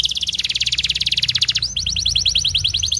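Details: Canary training song for juveniles: a rapid, loud stuttering trill for over a second and a half, then a chain of quick rising whistled notes repeated steadily.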